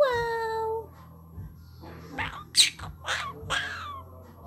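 A Quaker parrot talks, starting with a clear, slightly falling tone, then several raspy, speech-like syllables.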